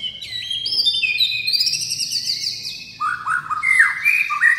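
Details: White-rumped shama in loud, varied song of many tones: long high whistled phrases sliding up and down, followed by quick lower dipping notes and bright rising whistles.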